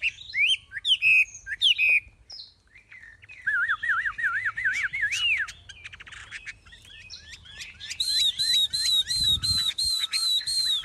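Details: A captive Chinese hwamei with a fanned tail gives strong whistled phrases, a soft warbled wavering passage, then a steady series of bright looping notes repeated about once a second.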